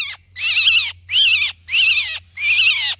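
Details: A myna gives a distress call for help from its flock: harsh, raspy, wavering screeches, each about half a second long, repeated about every half second in a steady series.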